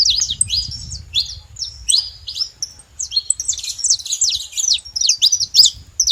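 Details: A saffron finch living free in the wild sings bright, high chirps in short groups that quicken into a busy run toward the end, with faint low background noise.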